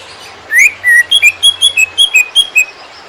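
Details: Greater green leafbird song as a training recording for other birds: a rising whistle, then a lively sequence of short whistled notes alternating in pitch, about ten notes.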